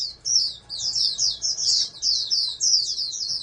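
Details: Bred oriental white-eye, a would-be national champion, pouring out a continuous shrill twittering song of rapid slurred chirps with only tiny breaks.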